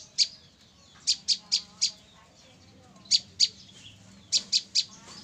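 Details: Sharp high chips from a female olive-backed tailorbird trapped three days before, delivered in bursts of three to five evenly spaced notes separated by short pauses, with a faint low hum underneath.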